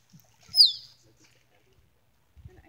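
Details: Male Musk Duck displaying to females at Lysterfield Park, Victoria, Australia, giving its mating call: one sharp, high whistle sliding steeply downward, framed by a few soft low thumps.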